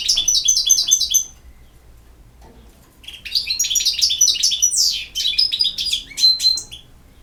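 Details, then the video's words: A European goldfinch sings in the campero style. A second of rapid repeated twitters is followed by silence, then a longer jangling sequence of chirps, descending slurs and thin, drawn-out whistled notes. "El Jilguero BiH 25"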